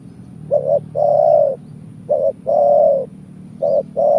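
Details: Spotted dove lure call used in bird trapping: repeated pairs of a brief coo followed by a longer, steady, hollow coo, three pairs in quick succession over a low background rumble.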